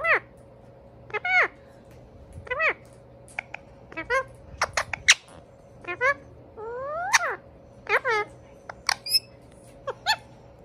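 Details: Two Indian ringneck parakeet brothers chattering to each other indoors: scattered sharp, squeaky rising-and-falling chirps and short squawks in irregular bursts, over a steady low hum.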